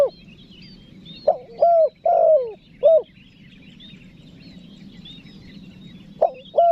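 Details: Spotted dove calling to lure wild doves: one phrase of four mellow coos, the second and third longer and falling slightly, then a quiet gap and the start of another phrase; soft high bird chirps in the background.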